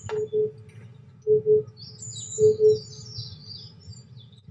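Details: Oriental cuckoo song heard behind butterfly filming in cloudy weather at 23°C: three soft, deep double hoots spaced roughly a second apart, with thin high bird chirps drifting in the background.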